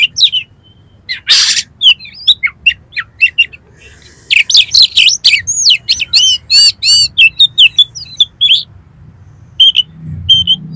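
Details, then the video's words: Oriental magpie-robin (kacer) song used as a lure to make birds sing and spread their tails: a long, varied run of quick whistles, chips and slurred notes, a short noisy burst near the start. "DALAM HITUNGAN DETIK KACER KALIAN PASTI LANGSUNG ON !!! MAU BUKA EKOR"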